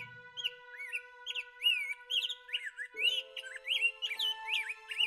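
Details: A Rose-breasted Grosbeak in Ontario, Canada, sings a fast, rich warble of sweet rising and falling phrases, like a hurried, over-caffeinated robin, over a steady soft musical drone.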